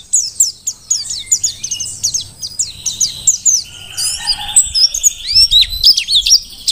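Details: Tutor-song singing by a wild-caught Dakun mountain white-eye from Merapi: a rapid string of high, crisp, downward chips, then a twittering section of rising and falling whistled notes.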